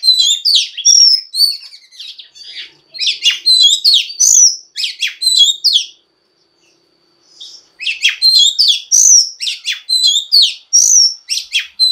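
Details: Oriental magpie-robin female song used to stimulate males to sing, a busy medley of high chirps, whistles and fast slurred notes in long bursts, broken by a silent pause of about a second and a half midway.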